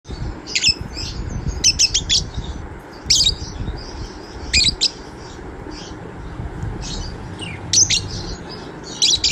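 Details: A white-and-yellow budgerigar warbles with quick, scratchy chirps and short high clicks in uneven bursts.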